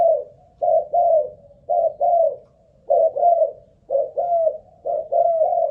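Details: A ground decoy spotted dove in an endurance test gives mellow, low coos in quick pairs, with a slight downward bend at the end of longer notes, repeated about once a second.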